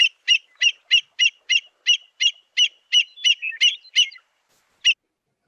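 American Avocet giving a quick series of sharp, high kleet notes, about three a second, before trailing off; a red-winged blackbird calls faintly behind.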